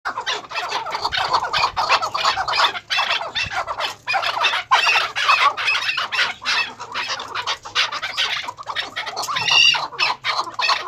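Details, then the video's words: Female chukar partridge of the Maskati chakor type calling: dense, harsh, rapid chattering notes run almost without pause, with brief gaps and a few higher squeaky notes near the end. "Maskati Chakor Female awaz"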